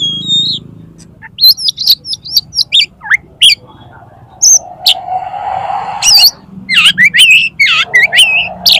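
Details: Oriental magpie-robin, tail fanned, challenging a rival male to fight with a song packed with mimicry; loud, varied run of sharp high whistles, clicks and swooping slurred notes, with a brief noisy rustle in the middle.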